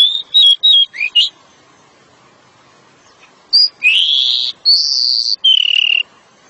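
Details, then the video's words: A pied bushchat sings a dense, rapid burst of five short, high whistled notes, then after a brief pause three longer, sweeping, slurred phrases. Pied bushchat. "Decu nembak rapat"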